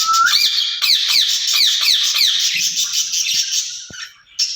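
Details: Opening with a short rising whistle, a caged ringneck parrot pair then chatters in rapid rasping down-slurred syllables, trailing into a hissy stream before a brief pause.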